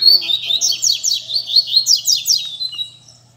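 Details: Caged coleiro (rusty-collared seedeater) in a Sunday-morning gathering of birds singing among friends, played to stimulate other males: fast bright chattering song of rapid high notes and sweeping trills for about three seconds, then fading.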